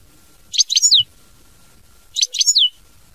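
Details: Goldfinch song of the mama binette style, two matching high twittered phrases about a second and a half apart, each ending in a sweeping downward slur, with faint low background rumble.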